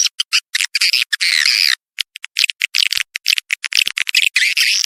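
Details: Swiftlet lure recording of harsh, buzzy chirps and longer rasping trills in irregular clusters, with a brief pause midway before the chatter resumes.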